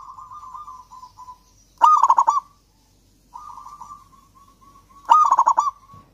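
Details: Local Javan zebra dove in strong song, used as a lure for silent doves: soft trilled cooing twice leads into a loud, rapid series of pulsed coos, the pattern repeating after about three seconds.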